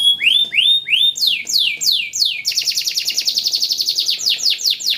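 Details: Yellow canary in fast song: a few slow upward-curving whistles, then descending swept notes, followed by a rapid buzzy trill with repeated downward sweeps over it.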